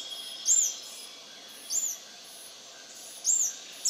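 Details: At Intervales, Brazil, on 29 December 2019, a lekking male Scale-throated Hermit (Phaethornis e. eurynome) repeats a shrill, high, down-curving squeak three times, each spaced over a second apart, with a soft steady background hiss.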